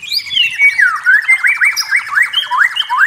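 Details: White-rumped shama from forest, singing a series of repeated upslurred whistles, each rising sharply, several per second, over a steady high background tone.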